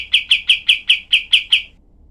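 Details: Cream-vented bulbul (kapas tembak) used as a tutor recording, with harsh 'tembakan' shots. Eight loud, clipped, buzzy notes fire in quick, even succession over under two seconds, then silence.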